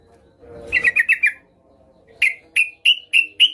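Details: A female yellow-vented bulbul calls to a male: four quick, slightly buzzy chirps over a faint low hum, then five clear, spaced chirps rising slightly in pitch.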